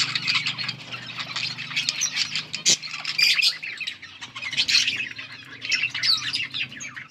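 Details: Several budgies, pet parakeets recorded on August 19, 2024, chirping and singing together in a steady, busy stream of high twittering and scratchy warbles, one sharp click midway, low background hum.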